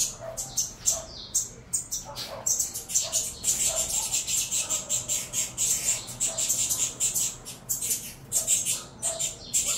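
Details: Captive saffron finch chicks from a Venezuelan cross begging while fed: scattered rasps at first, then a dense, rapid run of harsh high-pitched squawks pulsing steadily.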